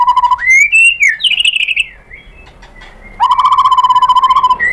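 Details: White-rumped shama, provoked into replying: a steady low whistled trill, rising slurred whistles, a brief pause, then a long even rapid trill resumes.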